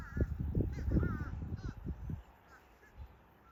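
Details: In Collier County, southwest Florida, a limpkin gives a few wavering, nasal wailing calls, repeated irregularly, over heavy low wind rumble.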